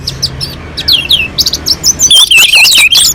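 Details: Mountain-slope orange-headed thrush, continuous melodious song for prompting other birds to sing: soft high chirps at first, then a loud run of wavering whistles near the end.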